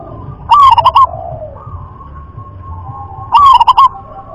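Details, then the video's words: Local wild zebra dove in the popular rhythm-class song style, giving two stuttering coo phrases nearly three seconds apart. Each has a rising lead note and then rapid chopped beats, with a quiet sliding bird call in between. "jenis suara perkutut lokal kelas irama"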